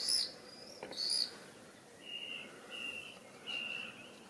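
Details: A common swift exploring a nestbox at a house gives two short, shrill screeches about a second apart, followed by thinner, fainter trilling notes over a quiet background hiss.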